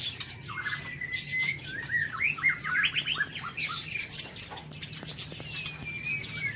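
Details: White-rumped shama kept in an aviary cage, singing in the morning: a varied run of clear whistles, quick rising and falling slurs and chirps over a low steady hum and scattered clicks.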